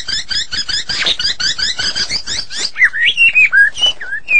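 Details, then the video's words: Medan White-rumped shama singing hard: a dense jumble of fast high chattering notes, then clearer looping whistles that dip and rise at mid pitch, spaced roughly every half second. "Murai Batu Medan Super Gacor"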